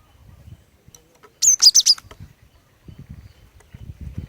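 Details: Female cinereous tit singing to lure males into song: a single quick phrase of four high, sharp whistled notes, with faint low rumbling and handling noise before and after.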